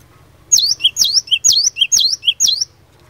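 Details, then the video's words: Cinereous tit known locally as glatik batu, delivering a gacor fighter song to draw answers from other birds: five evenly spaced phrases, each a loud high swoop followed by a softer lower note, over a steady low hum. "Burung Glatik Batu Gacor Fighter, Cepat Bikin Glatik Lain Langsung NYAUT"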